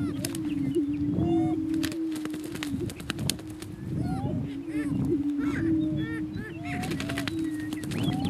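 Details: On a northeast Kansas lek, male Greater Prairie Chickens fighting for dominance give a continuous low hollow boom, overlaid by scattered high whoops, cackles and sharp clicking or flapping sounds.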